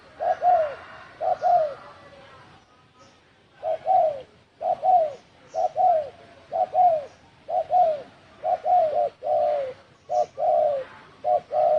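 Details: Spotted dove calling in the "đồng thổ sấm" style to provoke wild doves, 2020. Two opening coo pairs give way to a pause, then a long steady run of short-long falling coos.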